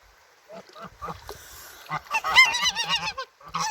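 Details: A male domestic goose, one of a pair, feels threatened when approached and hisses like a snake to protect his mate: harsh, breathy hisses mixed with short, hoarse honking notes in rapid bursts of about four per second.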